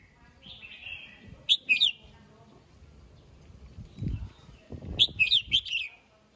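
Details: Morning song of a red-whiskered bulbul calling its flock, meant to rouse wild-caught birds: two short phrases of sharp, rich whistled notes about three seconds apart, with a dull low thumping between them.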